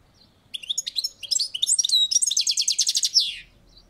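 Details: Balcony-kept European goldfinch song: quick liquid twittering notes build into a rapid, even buzzy trill that ends in a downward slur, all high-pitched and clear over quiet background.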